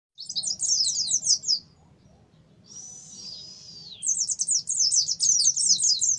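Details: Oriental white-eye singing in the ngalas style, used as a lure to make kept birds sing: rapid, high, scratchy twittered phrases, then a thin sustained whistle with a short pause, then another burst of fast chattering trills.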